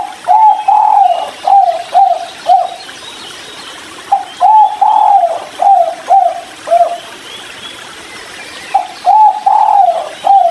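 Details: Tekukur, the spotted dove, calling in the 'kuk 3' style as it drinks beside river water. Three full cooing phrases of soft hollow notes: a brief opening coo, one long slurred note, then several short coos, separated by pauses.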